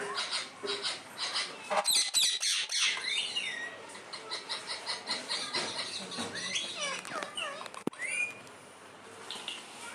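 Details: Talking parrot said to say "mummy": bright whistled and slurred notes, some rising and falling in quick loops, scattered among chattering over a steady background hiss.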